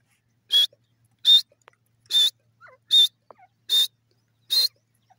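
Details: Grey francolin, known locally as teetar, calling: six short, harsh, high-pitched bursts at an even pace about every 0.8 seconds. Faint clicks sound between them, with quiet background.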